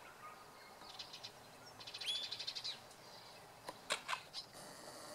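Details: A silver gull in Tasmania, completely unafraid of people, gives harsh, scratchy squawks in short chattering bursts, with a quick run of clipped notes midway and sharp cries near the end.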